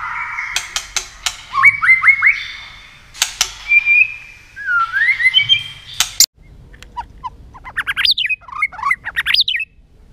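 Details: White-rumped shama in aggressive contest singing, tail flicking, used to stir other shamas: rapid sharp clicks between short whistled phrases, a pause, then a fast varied run of high, swooping chirps and whistles.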